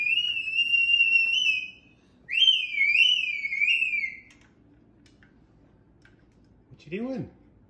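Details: Pet cockatoo with regrowing forehead feathers, indoors by its cage: two long, clear, wavering whistles, the second rising then sliding down, followed by a pause and a short low chuckle as a person talks softly.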